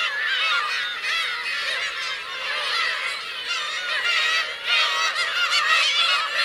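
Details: On the Kurosaki coast of Teuri Island, Hokkaido, Black-tailed gulls with chicks call constantly on 17 June 2021, overlapping arched mewing notes that grow louder and denser in the last seconds.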